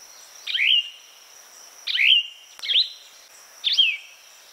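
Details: Plumbeous vireo song of four brief slurred phrases, each sliding down and then holding a tone, about one second apart, with a soft click and a constant high hiss.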